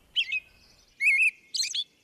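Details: An American Robin gives an excited dawn song: three quick, high caroling phrases over two seconds, the middle one a slurred whistle and the last shriller and squeakier.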